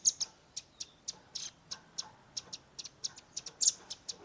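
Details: Young velvet-fronted nuthatch uttering tembakan, a shooting call style, captured with a Redmi 10 phone: sharp, thin, high chips repeated irregularly, several per second, some doubled.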